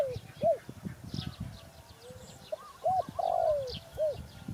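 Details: Spotted dove delivering soft coos, a pair of short notes then a long falling note, against quiet background chatter of small birds and some low rumble.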